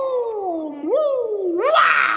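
A common hill myna gives a drawn-out, voice-like wail that slides down, swoops up, slides down again, then breaks into a harsh rasp.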